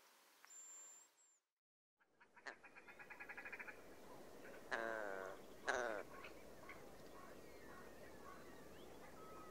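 Willow ptarmigan giving a nasal, croaking series of notes that speeds up, followed by two loud, harsh stuttering rattles; quiet background.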